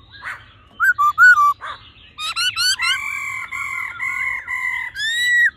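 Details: A male laughingthrush sings in a mature wild voice beside a churring female, to stimulate males: short clipped whistles, a fast burst of rising notes, then a long string of steady held whistles ending on a swelling note.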